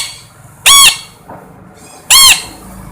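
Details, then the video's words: Two loud, rasping parrot squawks about one and a half seconds apart, each brief and packed with bright overtones, over low background hiss. "suab noog yeeb kub quaj zoo heev tiếng vẹt keu"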